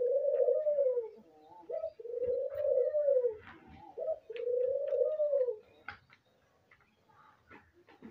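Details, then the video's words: Albino dove calling during breeding: three drawn-out low coos about two seconds apart, each with a brief rising lead-in, then quieter clicking and shuffling sounds in a small indoor space. "Breeding sound dove"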